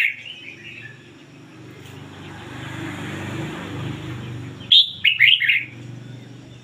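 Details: Decoy red-whiskered bulbul in ngoi bổi style sings a soft warble, then one loud phrase of a high whistle and quick bubbly notes over a steady low rumble, likely passing traffic.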